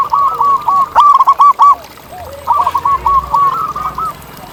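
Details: Zebra dove in its natural setting, singing actively: a fast string of short ringing coos, broken off, then a second rolling phrase after a brief gap of softer background cooing.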